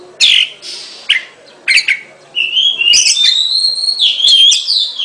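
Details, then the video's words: Oriental magpie-robin giving a few harsh scratchy notes, then a long sustained whistled phrase that wavers slightly and rises toward the end. "เสียงนกกางเขน ร้องชัดเสียงชัด 2020 Oriental magpie robin"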